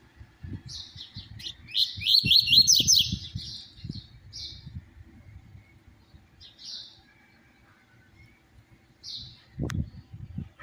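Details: Double-collared seedeater singing the 'tui tui zero zero' song style, used to stimulate other seedeaters to sing; a rapid high twittering burst, then scattered short high chirps over a low rumbling background, with a sharp click near the end.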